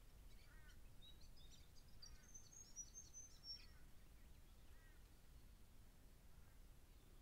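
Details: A juvenile grey fantail on 10 October 2012 gives thin, high, squeaky chips in a quick cluster, with a few lower slurred notes, over a steady low rumble.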